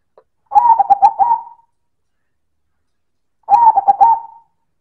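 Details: Perkutut silver, a zebra dove, singing loud manggung coos: a faint click, then two phrases of rapid stuttering notes closing on a sustained coo, separated by about two seconds of quiet.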